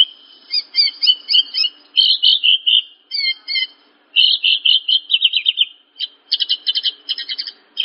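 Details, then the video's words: Horsfield's bush lark song meant to train other larks: phrases of stuttered chirps alternate with descending buzzy trills and rapid high twitters, separated by short gaps. "Masteran Burung Branjangan"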